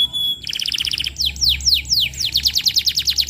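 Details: Canary song used as a lure recording to train young canaries: a fast series of short trilled notes, then several loud downward-sweeping whistles, followed by rapid repeated high chirps.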